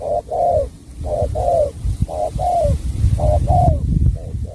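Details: Spotted dove, a Cà Mau bird, giving its cooing song: mellow, low hooted notes in quick pairs, each second note longer and falling, repeated steadily with a low rumbling background.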